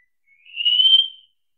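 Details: Single drawn-out wallcreeper whistle, thin and pure, starting softly, swelling and gently rising in pitch before fading; no other sounds.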